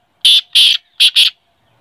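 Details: Loud, close black francolin call of four harsh, buzzy notes, the first two longer and the last two quicker, delivered in about one second against near silence.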